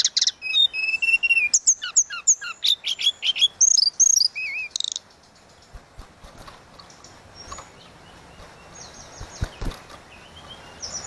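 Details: Lively flute-like 'suling gacor' song of the tledekan laut, a tutor recording for birds: about five seconds of dense whistles, chips and slurred notes, then only faint distant twitters over low background hiss.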